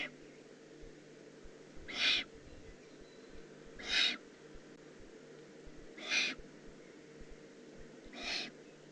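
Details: Juvenile Eurasian eagle-owl recorded in the Eifel on 18 June 2016; four noisy, hoarse hissing bursts spaced about two seconds apart, with faint constant hum beneath.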